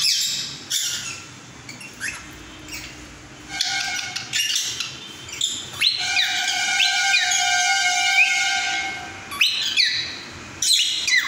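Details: Cockatiel kept as a pet performing a mating call, mixing harsh chirps with long clear whistled tones, some held steady and some sliding upward, between bursts of scratchy chatter.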